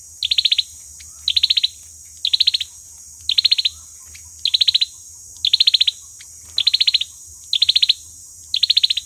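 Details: Olive-backed sunbird giving its fighting song, played as a lure for trapping: short high chattering bursts of about six rapid notes, repeated roughly every second in steady rhythm over a faint low hum.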